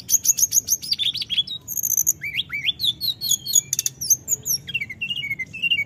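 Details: Snowy-browed flycatcher calling continuously: a rapid, unbroken stream of very high, thin whistles, sharp upslurred notes and brief trills, shifting constantly in pitch with hardly a pause, over a faint low background hum.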